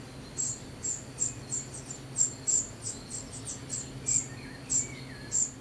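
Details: Young common cuckoo begging while fed: rapid clusters of very high, thin notes, some quick runs followed by spaced single calls, over faint descending lower chirps and a low hum.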